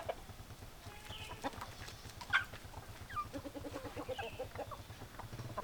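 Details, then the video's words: Chickens clucking: soft, short clucks repeated in loose runs over a low background hum, with a few sharper notes and clicks scattered through. "Chicken Sounds Noises Hens Clucking Roosters Crowing"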